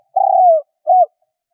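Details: Spotted dove decoy cooing to attract wild doves. Only part of a phrase is heard: a long, low coo that drifts downward, then a short rounded closing coo, with nothing else audible.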